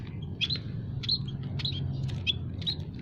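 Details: Mixed munias in an aviary, emprit kaji, peking and jawa, sounding a trapping lure: quick bright high chirps, about six in three seconds, some paired, over low steady noise.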